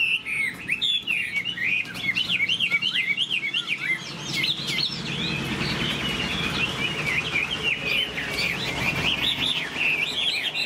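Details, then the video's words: Singing with its tail flared, a caged Chinese hwamei delivers varied whistled phrases. Quick zigzag notes repeat in series, and a low background rumble swells in the middle of the passage. "Họa mi đuôi xòe chơi cánh, bóng bộ cực đẹp, hót vẩy đuôi khướu"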